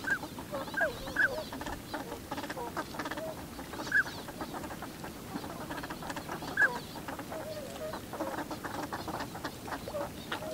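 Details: Northern pintail males and females, filmed 7 February 2015 searching for food on the water surface and gravel, recorded with a camera and external microphone. Brief high whistled notes come at scattered intervals over steady rustling and splashing.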